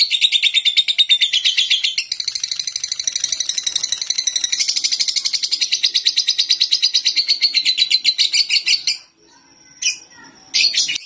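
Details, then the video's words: Ngekek chattering from a beginner lovebird tested on a terrace: a sustained, rapid, shrill rattle for about nine seconds, growing denser midway, then stopping, followed by a few short chirps. "TES DRIVE LOVEBIRD PAUD NGEKEK DI TERAS"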